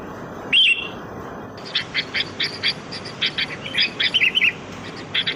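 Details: Sooty-headed bulbul, kutilang, calling in the wild as lure sound: one bubbly whistled phrase, then a busy run of short chirps and warbled notes from birds chattering together.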